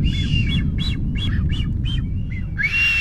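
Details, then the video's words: Nesting male blue-footed booby in the Galapagos, recorded around 6:26 PM: a shrill series of whistled notes, about three per second, ending in a longer rising whistle, over a steady roar of wind or surf. "Shrill of Nesting Blue Footed Booby"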